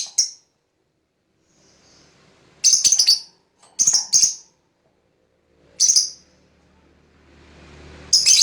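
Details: Lovebird used as a lure to provoke fighter lovebirds into answering with long ngekek chatter. Four or five short, harsh, high-pitched chattering bursts are separated by silent pauses of one to three seconds.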